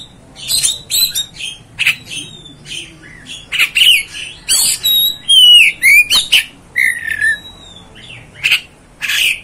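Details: Energetic Oriental magpie-robin song, dense run of clipped harsh notes interspersed with bright whistled slurs, sounds coming in quick succession for nearly ten seconds.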